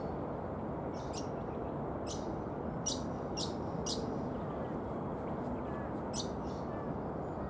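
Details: Brown honeyeater (Lichmera indistincta) calling: sharp, high, clipped notes given singly and in short pairs at uneven intervals, over a steady low background rumble.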